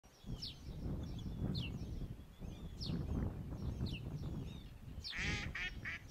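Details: Black-legged kittiwakes (Rissa t. tridactyla) at Sumburgh Head, Shetland, UK, in July 2013 give nasal, rising calls about once a second, ending in a louder drawn-out series, over heavy surf and wind rumble.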